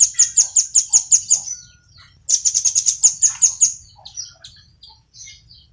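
Velvet-fronted nuthatch giving two quick runs of sharp, high chipping notes, about eight to ten per burst, then scattered softer chips.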